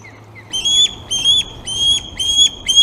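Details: Loud, piercing osprey chirps at the Glaslyn nest on 26 August, during feeding with fish for two young: five short, bright whistles in quick succession, each rising then levelling off.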